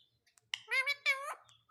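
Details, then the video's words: Pet Indian ringneck parakeet talking: two short, speech-like harmonic phrases, rising and then level, under a second in total, with faint clicks before and after in a quiet room. "so cute indian ringneck parrot"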